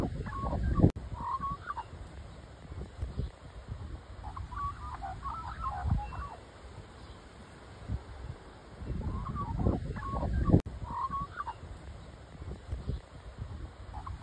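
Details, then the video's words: Magpies, seen singing, running, resting and flying, give short bursts of mid-pitched, fluttering warbled notes in three phrases spaced several seconds apart, over a steady low rumble of wind. "Magpies Singing"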